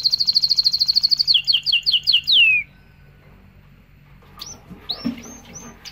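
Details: Canary singing to prompt mating and tutor fledglings: a fast high trill breaks into repeated two-note chirps, ends in a long downward-sliding whistle, then a pause with a few faint high notes.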